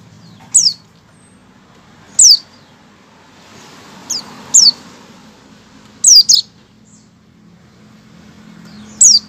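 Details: White-eye giving its opening call before singing, sharp high notes sliding steeply downward, repeated roughly every one and a half to two seconds, some as doubled notes, over a faint low hum.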